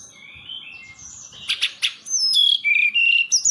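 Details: A kept forktail, known locally as tledekan gunung or sulingan gunung, singing actively. A few scratchy notes and sharp clicks lead into clear, high, thin whistled phrases with steady and gently wavering tones.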